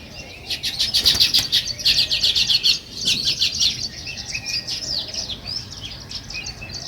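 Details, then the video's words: Weaver birds, called sparrows, chirp in nature: a fast series of loud, sharp chirps in the first three seconds, then softer mixed twittering from several birds. "Natural Sparrow Chirping Sounds |Weaver Birds"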